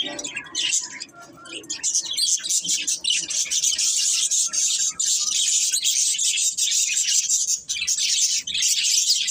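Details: Pet budgerigar breeding pair keeping up a continuous high, hissy chatter of rapid scratchy chirps, with a faint lower murmur early on.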